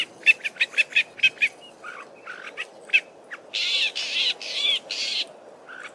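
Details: Male southern fiscal in Belmont Valley, Eastern Cape, mixing its own song with mimicry of local birds: a quick run of bright chips, scattered short notes, then harsh buzzy phrases.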